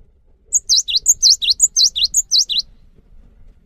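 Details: Lure song of a cinereous tit: clear, high, sharply dipping whistles in paired notes, repeated briskly about five times over two seconds, then quiet with slight low background noise.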